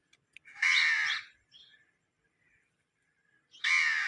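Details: Parrot producing two loud, harsh screeches about three seconds apart, with faint softer notes in between.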